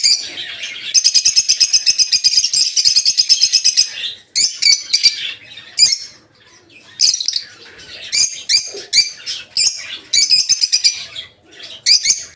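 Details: Peach-faced lovebirds housed together in an aviary for breeding. A long four-second run of buzzy, rapid-fire chattering gives way to choppy bursts of piercing chirps, each several notes long.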